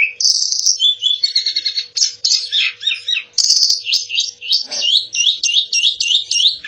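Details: Asian pied starling singing a fast, varied song of whistled and buzzy phrases around high pitch, ending in a run of quick repeated upslurred notes; a faint steady hum underneath.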